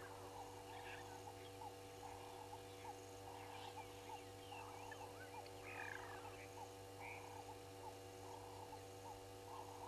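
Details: Ring-necked doves on a fallen tree at a waterhole on Djuma Game Reserve, Sabi Sand, South Africa, in the afternoon: soft, low coos repeated about every second in a steady run, over a constant electrical hum and faint higher bird chirps.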